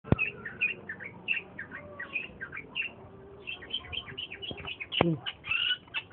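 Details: Wild long-tailed shrike of the native Madura type, now increasingly rare, singing in the wild: a rapid chatter of short, sharp, slurred notes in irregular bursts, punctuated by a few loud clicks and knocks.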